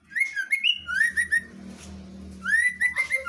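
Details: Vigorously singing female white-rumped shama, ngeplong style: quick chains of clear, slightly rising whistles with harmonics, a short break filled by low hum, then another lively run of repeated fluting notes.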